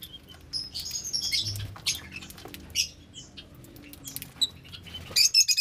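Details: A flock of lovebirds enjoying the sunshine gives sharp, shrill chirps and squeaks in scattered bursts, with soft rustling and wing flutters and a final burst of rapid chatter.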